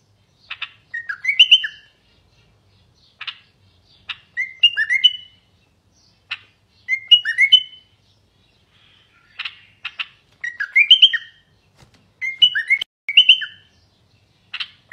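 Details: Garden bulbul, a Common bulbul, in steady song meant to stimulate males and ready females for mating: about six fluty whistled phrases over fifteen seconds, each preceded by sharp clicking chirps, in a quiet setting.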